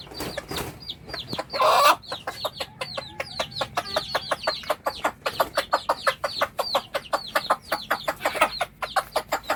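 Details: While a hen calls her brood to food, a dense stream of high, downward-slurred chick peeps is heard, several per second. Steady clucks and one loud squawk early on come from the hen.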